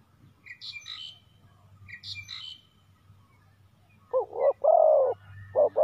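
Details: Decoy spotted dove luring wild doves. High chirping from other birds comes first, then the dove starts a low, mellow phrase of two quick coos and a long one.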